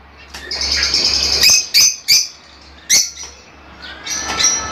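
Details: Fischer's lovebird twittering, used to help kept birds pair and mate: a hurried string of thin high chirps, then three loud separate squeaks spaced about a second apart, with a faint low hum beneath.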